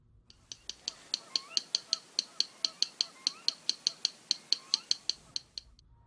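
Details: Yellow Rail song: dry, stony clicks like pebbles knocked together, all at one pitch, in runs of two then three notes, about one per second. A faint whistling bird is heard behind.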